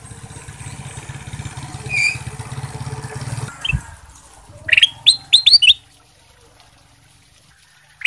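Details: Sooty-headed bulbul, a singing bird used for song training: a quick burst of bright, rising, bubbly notes after a low engine rumble, with a few faint chirps beforehand.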